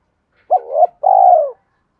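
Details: Coo of a spotted dove used as a lure to train decoy birds: a brief note swelling upward, a short pause, then one long, even, gently descending coo. Clean and without background sound.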